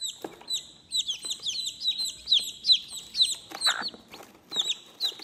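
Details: Chicks calling their mother: a rapid string of high, thin peeps, each sliding down then up, overlapping from several chicks, with a few lower, softer clucks mixed in.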